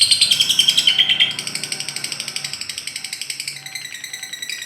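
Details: Lovebird giving the long chattering trill known locally as ngekek, used to prompt caged birds to sing: a fast, steady stream of harsh high pulses running continuously, louder at the start and slowly fading.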